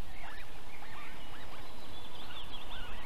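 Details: Osprey at a nest in Võrumaa, South Estonia, near a fish farm and a river, giving a rapid series of short, arched, whistled notes, about three per second, over a steady hiss of background noise.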